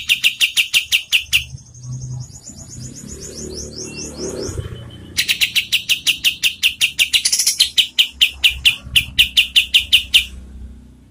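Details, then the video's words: White-shouldered triller singing for songbird training: quick buzzy chattering notes, a pause with a thin high trill and background rustle, then another long run of rapid harsh notes, some doubled. "SUARA KAPAS TEMBAK untuk MASTERAN BURUNG LOMBA"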